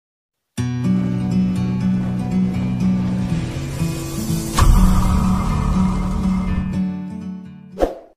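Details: Loud instrumental music with a steady plucked-string and bass rhythm, a sharp hit near the middle, then fading out; no animal sound is heard.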